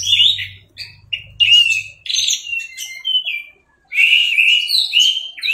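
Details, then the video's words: Caged Orange-headed Thrush singing; varied whistled and buzzy phrases with slurred notes, pauses between bursts, a low hum early on. "MASTERAN ANIS MERAH TELER"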